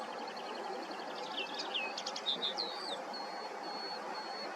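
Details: Common linnet song: rapid twittering trills and chattering notes, then a few drawn-out whistled tones, repeated several times a second, over a broad rushing background noise.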